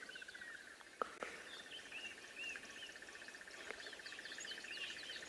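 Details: A crested barbet chirring at sunrise in Djuma Private Game Reserve, South Africa, 23 November 2021, after rain, gives a long, even, rapid trill like an alarm-clock buzz; other birds chirp and whistle higher up, with a few sharp clicks.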